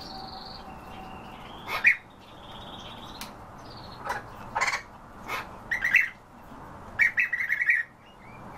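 European bee-eaters give short, rolling, liquid chirps in quick bursts near the end, over a thin steady whine and a few sharp knocks.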